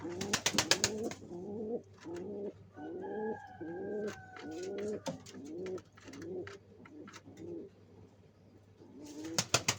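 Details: Pigeon at nest-building time, cooing repeatedly with deep, bubbling rise-and-fall phrases for six seconds. A thin, falling whistle passes over the coos, and bursts of sharp clattering come at the start and end.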